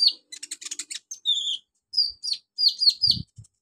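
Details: Olive-backed sunbird song for training beginner birds: a fast stutter of high buzzy notes, a drawn-out thin whistle, then several loud downslurred whistled phrases.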